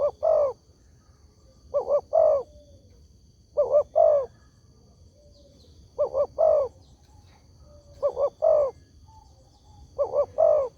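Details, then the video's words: Repeated spotted dove (tekukur) lure call, claimed to make all doves reply: six even phrases of two brief coos plus one longer rolling coo, steady two-second rhythm, a faint electronic whine in the background. "SEMUA BURUNG TEKUKUR PASTI NYAUT DENGAN SUARA INI"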